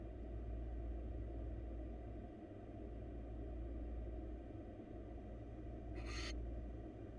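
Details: Steady low rumble of traffic or engine noise throughout, with a brief hiss-like burst near the end and no animal voice.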